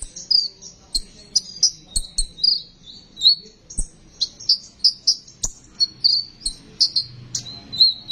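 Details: Sunbird song for luring and prompting sunbirds to sing: a long run of very high, sharp chirps and slurred whistles, each note brief and repeated steadily several times a second, with faint clicks underneath.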